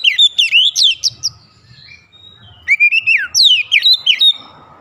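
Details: White-rumped shama lure song to make other shamas sing readily: two loud runs of rich, swooping whistles with slurred descending and rising notes, parted by a brief quiet pause, ending in a faint rustle.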